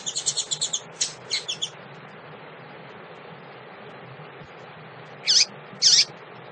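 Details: A female double-collared seedeater calls to excite males. It opens with a quick high chattering series and a few scattered chips, then goes quiet for several seconds before two loud downslurred notes. Faint hum underneath.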